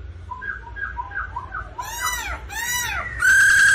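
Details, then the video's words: Black-throated laughingthrush singing when stimulated by a female's 'ro ro' call: soft, low whistled notes, two loud harsh rasping bursts, then a steady, loud whistle. "Chim khướu Bạc Má hót múa tiếng mái ro ro kích tróng"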